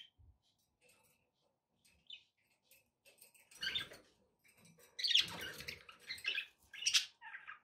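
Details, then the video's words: Pet budgies kept indoors, with background noise: near-quiet opening with a few faint ticks, then from about the fourth second loud bursts of high, scratchy chirps and warbles in uneven clusters. "budgie sounds with background noise for relaxation"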